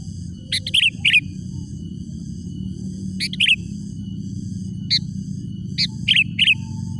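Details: Sooty-headed bulbul calling used as a lure to challenge rivals: clusters of two or three quick bright chirps separated by short pauses, over a continuous low droning hum.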